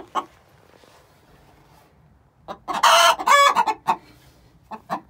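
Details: Egg song of two six-month-old hens calling before laying: scattered clucks, then two loud harsh drawn-out squawks in close succession, followed by a few more clucks.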